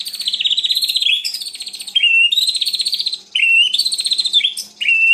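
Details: White-rumped shama in loud song: long fast-pulsed warbling phrases at a steady high pitch, each ending in a dropping whistled note, repeated in three or four phrases.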